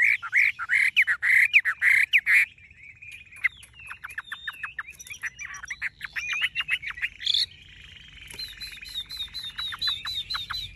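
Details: Tame, golden-plumaged Chinese hwamei singing nonstop in its cage, said to sing like a machine. Fast, loud repeated whistled notes give way to varied slurred phrases and rapid trills, with some high, thin tones near the end.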